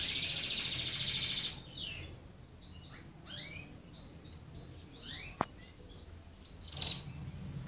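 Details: Red canary song starting with a dense high trill, followed by scattered rising and falling whistled notes, with a single sharp click.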